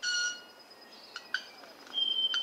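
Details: Club-winged Manakin male display at a reserve in Ecuador: a sharp tick, then a drawn-out, ringing, violin-like tang with several harmonics and a fundamental near 1.5 kHz.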